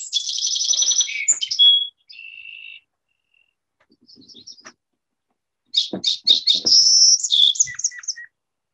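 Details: Song Sparrow from the Gulf Islands: two bright phrases of clear whistles, a buzzy note and fast rattling trill with short pause; each bird has 8 to 11 slight song variations.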